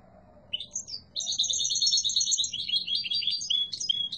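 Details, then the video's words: European goldfinch of the yellow mutation: a couple of soft opening chirps lead into a loud, continuous, rapid twittering trill with jingling high notes to the finish. "تغريد قوي و جميل🐦 لطفرة الحسون الاصفر"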